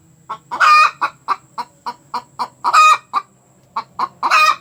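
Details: Hen after laying an egg, cackling loudly: a steady run of short clucks about every quarter second, broken by louder, longer harsh squawks, ending in a final strident cackle.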